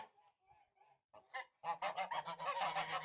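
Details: Tula fighting goose, a domestic Russian breed of ancient fighting poultry: a few soft, nasal honks spaced apart, then a loud, harsh run of rapid honks, about three per second and fairly rhythmic, until the end.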